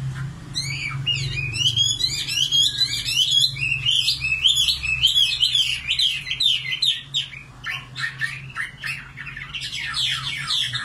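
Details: Common nightingale pouring out dense bursts of rapid repeated notes and trills, the phrases changing every few seconds, with a low droning hum in the background.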